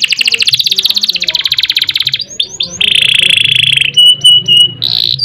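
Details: Energetic kenari canary song: a dense rolling trill, a few swooping whistles, a steady buzzy roll, then short pure high tones and a bright closing note.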